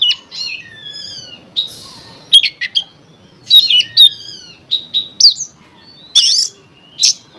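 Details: Oriental magpie-robin song played to provoke other magpie-robins into singing: loud, varied phrases of clear whistles, rising and falling slurs and harsh buzzy notes in bursts with short pauses, over a faint low hum.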